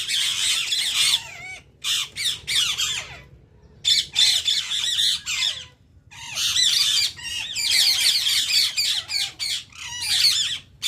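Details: Indian ring-necked parakeets in bursts of loud shrill squawks and screeches, rapid and overlapping, with brief pauses between the noisy bouts.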